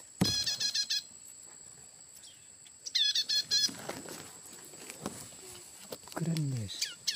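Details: Nestlings of what is believed to be a red-headed tailorbird, found in bamboo, give two bursts of rapid, high, buzzy chirps. A steady high insect whine runs throughout, with a low bleating voice near the end.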